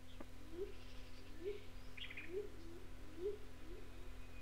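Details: Red-necked Rail in North Queensland tropical rainforest, likely Paluma Range north of Townsville, giving short, rising hooting notes about once a second, with a few higher chirps and a steady low hum; old cassette recording.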